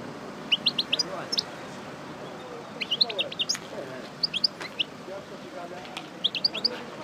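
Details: Goldfinch of the parva race, a pairing bird after moult rehearsing its song: short clusters of high, sharp chirping notes separated by gaps, with faint background noise.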